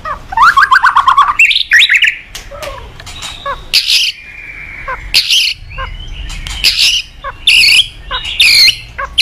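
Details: White-rumped shama singing in the morning, a lure for training cage birds: an opening rapid trill, then a long series of loud varied whistles and harsh buzzy bursts in quick succession.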